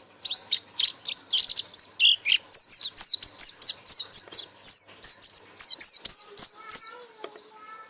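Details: Lively white-eye song, 'gacor buka paruh' style: a continuous chain of thin, high, sliding whistles at a brisk pace, with faint lower tonal sounds toward the end.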